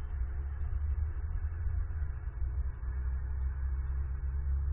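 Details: A steady low hum with muffled broadband noise fills the recording, and no animal calls are heard.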